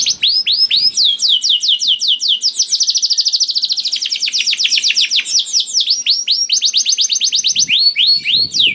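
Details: Lively canary song meant to trigger other canaries to sing, built from long runs of quick, sharply falling chirps that speed into a rapid trill and slow again, loud and continuous throughout.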